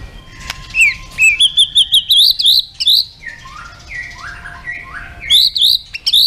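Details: White-rumped shama contest song: a series of bright, high whistled notes climbing in steps, then lower drawn-out slurred whistles repeated at a relaxed pace, ending with sharp high notes.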